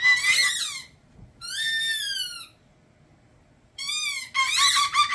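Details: Captive male umbrella cockatoo in a room making a trained, annoying squeal: shrill harmonic cries about a second long, falling slightly at their ends, separated by quiet gaps, ending with a choppy, stuttering burst.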